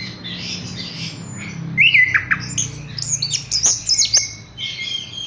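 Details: Horsfield's bush lark in a cage giving scratchy, squeaky phrases and thin high notes after a quieter start with a soft low rumble in the background.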